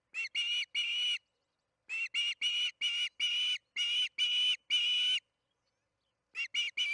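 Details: Osprey at the Charlo nest during evening feeding, June 21, 2019, 8:15 pm MDT: bursts of loud, harsh whistled chirps, three, then eight in a run, then three more after a pause.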